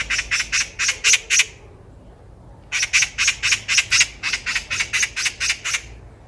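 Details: Loud rattling chatter of a Eurasian magpie, heard by chance along a walking path in Korea: six rasping notes, a short pause, then a long run of about thirteen rapid harsh squawks.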